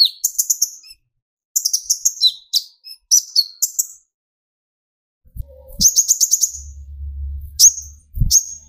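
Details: Kolibri ninja sunbird, from speckled young to full metallic birds, singing as a lure. Varied high chirping phrases and a fast buzzy trill are followed by thin whistles, over brief low rumbling noise.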